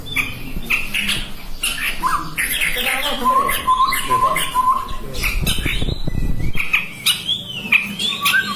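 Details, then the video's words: Chestnut-rumped babbler producing a fast series of low, level whistled notes amid chattering higher chirps, with a burst of low rumbling noise midway. "SUARA BURUNG TEPUS TUNGGIR MERAH"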